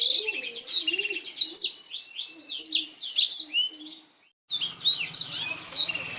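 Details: Continuous high twittering song of a black-throated canary, a master recording for canaries, with quick slurred chirps and trills, a brief silent gap, then the song resumes over a faint low hum.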